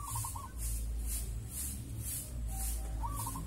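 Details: Wild local zebra dove at dusk giving soft trilled coos, a short rolling phrase at the start and another near the end, while pulsing high-pitched insect buzzes repeat about every half second over low background rumble.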